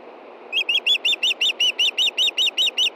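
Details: Evening food call of a female osprey, Montana, 22 June 2013, as her mate fishes close by: twelve high, ringing whistles repeated quickly and evenly.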